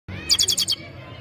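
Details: Goldfinch song fragment: a rapid run of five bright, high twittering notes lasting under half a second, against a low background hum.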